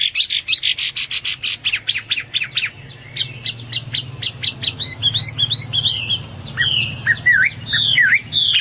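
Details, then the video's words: Hwamei song beginning with a fast rattling series of sharp clipped notes, then shifting into varied swooping whistles and slurred phrases, with a faint low hum underneath. "Burung Hoa Mi gacor"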